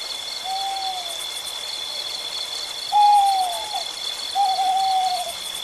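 Indian Eagle-Owl giving three drawn-out, slightly falling hoots spaced one to two seconds apart, over a steady high electronic-sounding whine.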